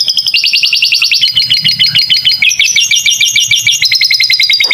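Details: Canary singing a masteran song with lovebird fill, for young birds to learn: quick high trills switching every second or so between phrases, the notes crisp, ringing and repeated about three times a second.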